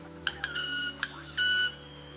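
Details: At a lek in Ecuadorian forest, a displaying Club-winged Manakin's wings make two or three sharp ticks, then a ringing, violin-like tone of about a third of a second, with a female nearby and a faint low hum underneath.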